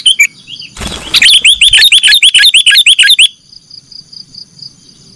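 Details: Training recording for cage birds of a sooty-headed bulbul's nggaruda song. A rustling burst opens a fast series of repeated upslurred whistles, about three per second, that stops abruptly and leaves a steady high hum.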